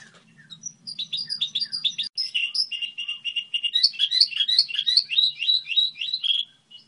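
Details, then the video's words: Goldfinch hybrid song model, opening with dense chattering twitters, then a run of repeated flat buzzy notes and a fast rolling twittering passage, low hum early on. "Hibrid sticlete ,model de cântec (Goldfinch hybrid)"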